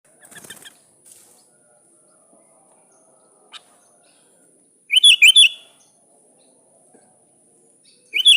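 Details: A sooty-headed bulbul calls to a rival: a short, loud burst of bubbly warbled notes, followed after a pause by the start of another burst. Faint chirps come before it, and otherwise the scene is near silence.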